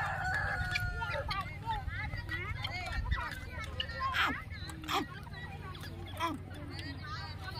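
A grey francolin gives loud, ringing, repeated notes that rise and fall quickly. A steady low hum runs underneath, with a few sharp knocks.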